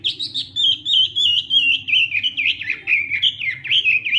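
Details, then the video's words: Hwamei in morning training song, a continuous stream of loud fluty whistles and quick warbling trills, notes repeating about three times a second and drifting slowly lower. "Hoạ Mi Hót Đấu /hoạ mi hót sáng luyện giọng"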